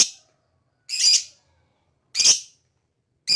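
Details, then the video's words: Lovebird uttering longer, grating high squawks about every one and a quarter seconds, each a raspy burst with a quick fade, set against silence. "Lovebird Singing & Chirping Sound"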